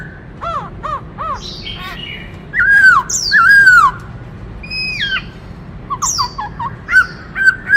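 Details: Black-throated laughingthrush delivering a many-voiced song to stir other birds: a run of short arched chirps, loud swooping fluted whistles, a descending note, then quick chirps and whistles.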